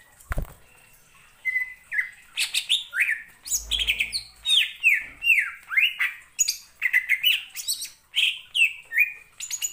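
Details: Caged greater green leafbird, a mimic of other birds, singing a rich, fast song of bright whistled slurs and chattering phrases, rising and falling without pause; a click and a low thump early on.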